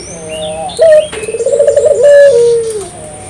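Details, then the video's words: Single gacor coo phrase of a puter dove, played to get local doves singing: a short note, then a pulsing trill rising into a long held tone that sinks away. "suara burung puter gacor"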